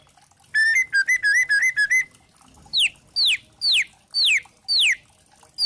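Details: White-rumped shama (spotted 'trotol' form) in a lure recording meant to provoke other shamas into singing: a burst of short, rapidly repeated wavering whistles, then loud, sharply down-slurred whistled notes about every half second.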